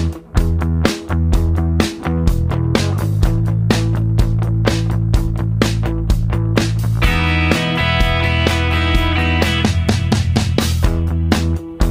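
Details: Loud rock music with driving drums, bass and guitar throughout, and no animal sound.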